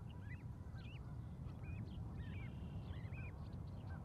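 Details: Goslings calling from a Charlo, Montana osprey nest beside their mother, May 12, 2020. Clear, high, arched peeps come in quick irregular pairs and trios over a constant low background rumble.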